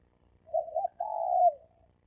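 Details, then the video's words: Spotted dove male challenge call. A single phrase of two soft rounded notes and then a longer level coo tailing away, slightly quieter, over a faint low rumble. "Tiếng chim cu gáy bổi đấu bổi"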